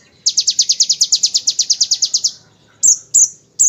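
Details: Bar-winged prinia giving a fast 'ngebren' burst used as a tutor song for magpie-robins and white-rumped shamas: a high, rapid run of about twenty sharp ticking notes lasting two seconds, then three separate piercing chips.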